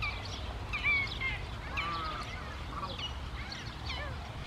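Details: Wild greater flamingos in the Camargue in the evening: a busy flock chatter of overlapping nasal, goose-like honks with rising and falling harmonics, many birds calling at once over a low rumble of background noise.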